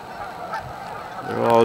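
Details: A brief honk rises out of a low flock murmur at the end: Canada geese at their staging area on Amber Trails Lake, Winnipeg, Canada.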